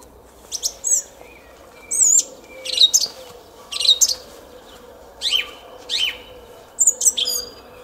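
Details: Song thrush trilling in a garden at Szalkszentmárton, early morning 06:15, 10 April 2021: regular bursts of loud, high whistled and looping notes, each phrase under a second and repeated roughly every second, with quiet gaps.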